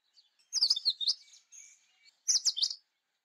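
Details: An Indian robin delivers two bright, rapid phrases of rising and falling chirps about 1.7 seconds apart, a thin, soft whistled note between them, in clean quiet surroundings.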